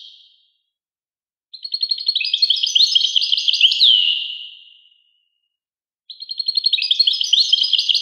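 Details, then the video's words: European goldfinch in clear song. A lively jumble of high chirps and twitters ends in a downward-slurred note and fades out. A second twittering phrase starts after a few seconds of silence. "song Carduelis carduelis pure and Nice-Birds The song"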